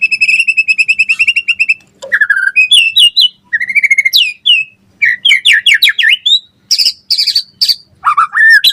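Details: Energetic White-rumped shama song opening with a fast, even trill of some twenty identical notes, then a rich medley of whistled sweeps, sharp chips and downward slurs, delivered without pause.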